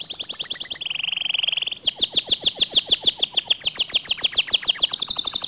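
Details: Singing canary whose song is said to stir other canaries to sing along. A buzzy rapid trill leads into long series of bright repeated whistled notes, and the pitch steps up and down between phrases.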